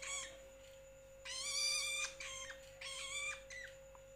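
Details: Young long-tailed shrike (toed, cendet, bentet) uttering loud, buzzy, strained calls with layered overtones, one long wail followed by shorter squawks, over a constant low hum.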